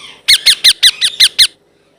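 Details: Young blue ringneck parrot, kept indoors, giving a rapid series of seven sharp, squeaky, descending notes, evenly spaced about six per second, then silence.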